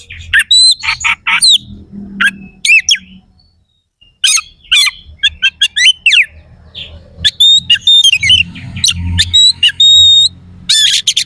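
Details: Oriental magpie-robin kept for song contests, singing harsh fill-in phrases to stir up rivals: mixed scratchy chatter, sharp clicks and pure ringing whistles, with a low rumbling background hum throughout.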